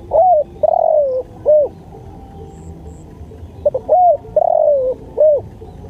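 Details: Spotted dove cooing in a masteran recording: a hooked opening note, a long mellow falling coo and a bowed final note, repeated twice with a pause between, over a low quiet background.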